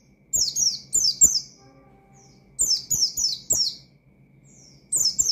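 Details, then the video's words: Oriental white-eye singing to provoke rivals in the ngalas style. Short clusters of three or four piercing, falling notes are broken by pauses, and a faint steady tone is heard briefly in one gap. "Burung Pleci Gacor Ngalas Nembak Mangil Lawan,Memicu Emosi Pleci Bahan"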